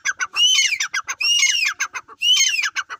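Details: A partridge (teetar) repeats a shrill, rasping phrase three times: a bright rising-then-falling whistle wrapped in dense clicking notes, with short staccato chips between phrases.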